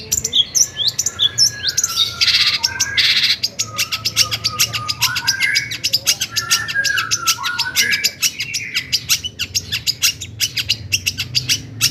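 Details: Long-tailed shrike song meant to stir other shrikes to sing: dense rapid chatter and harsh rattling notes with interwoven whistled and squeaky phrases, continuous and busy throughout.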